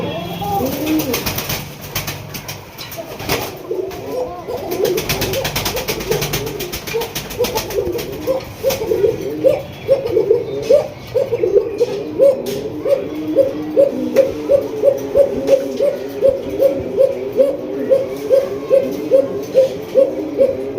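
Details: A male Koka pigeon, newly paired with a female beside him, coos in a rapid string of low, rolling notes that quicken into a steady pulsing run.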